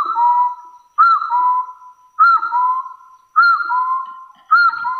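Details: Hill partridge challenging rivals with repeated two-note whistles: a high, slightly falling note leading into a lower steady one, phrases coming about every 1.2 seconds.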